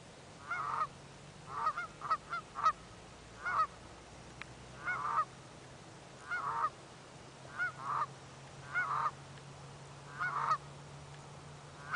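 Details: Geese sounding the alarm as a person approaches to within about 20 feet: loud nasal honks, often doubled, coming in bursts roughly every second with brief quiet gaps and a low background hum.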